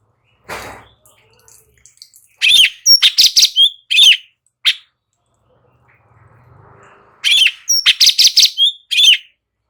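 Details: Energetic light-vented bulbul song from a bird-training master recording: after a faint opening note, two strong phrases of rapid, bright, slurred chirps are separated by a few quiet seconds.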